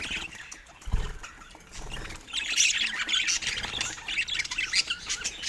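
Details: Pet budgerigars chattering: a quieter start with a single low thump, then a dense burst of scratchy, high squawks and chirps over the second half.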